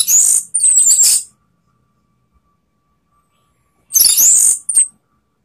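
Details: Orange-headed thrush, used as a lure recording to provoke rival birds, singing high bright phrases: a whistled run of sharp notes for about a second, silence, then another burst of high warbled notes near the end.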